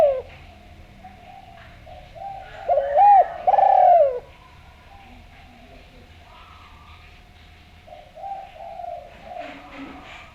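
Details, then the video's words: Spotted dove from Java, a lively melodious singer kept as a lure to draw other doves into calling: one loud throaty two-part coo in the middle, softer coos at start and end, over a steady low hum and faint distant chirps. "Derkuku Jawa Gacor Suara Merdu, Ampuh Buat Pancingan"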